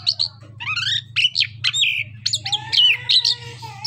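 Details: Orange-headed thrush, a songbird of Southeast Asian forests, used as a lure to get quiet birds singing: a rich, varied run of quick whistled and chattering phrases, rising and falling, with a steady low hum underneath.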